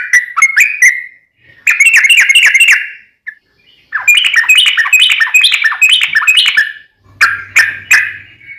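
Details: Yellow-vented bulbul in long rapid-fire song, used to lure other bulbuls into singing: bursts of quick, bubbling whistled notes separated by short silences, faint low hum near the end.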